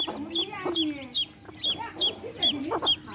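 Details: Hen with baby chicks: bright, high chick peeps come in a regular series about every half second, while the hen's low, throaty clucks rise and fall underneath.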